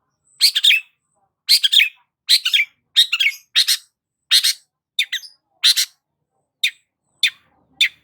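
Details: Long-tailed shrike in lively song meant to trigger stressed cendet: a steady series of scratchy, buzzy high chirps, each doubled or tripled, then sparser thin notes toward the end, clean with no background.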